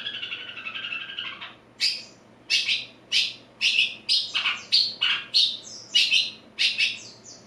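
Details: A seven-month-old Madura Long-tailed Shrike, just bathed, starting to shape its song: rough, scratchy phrases mixing harsh chatter with high squeaky notes repeated about every half-second, still slurred and unpolished.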